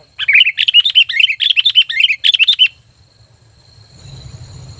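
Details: Sooty-headed bulbul calling loudly to lure other bulbuls; a fast excited run of bright chirping notes for under three seconds, then a quiet pause with faint low background rumble.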